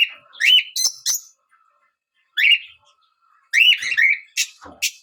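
Fischer's lovebird giving shrill, buzzy chirps and squeaky chatter in quick bursts, with short pauses between flurries.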